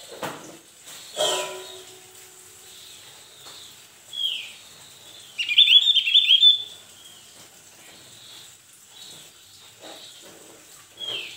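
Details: A male Javan grey-throated white-eye sings in response to another bird's song: high thin notes, then a rapid chattering burst of bright twitters lasting about a second, a few scattered calls after, and a brief thump near the start.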